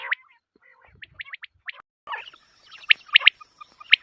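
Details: Quail calling, a sound said to draw good hunting: brief bright notes in a stuttering series, followed by denser overlapping chirps from more than one bird and a thin constant whine in the background.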